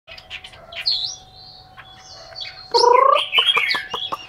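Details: Caged Chinese hwamei from Hanoi, Vietnam, described as a bird of fine quality, giving loud varied song: slurred whistles near the start, then a strong burst of rapid, repeated buzzy notes with sharp chirps, over a steady low hum.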